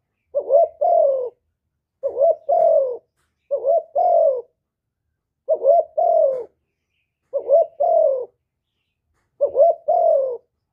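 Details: Spotted dove in hap boi voice giving its complete calling, urging and cooing sequence, recorded with no background noise. Six evenly spaced low double coos, each a trembling short note joined to a longer sinking one.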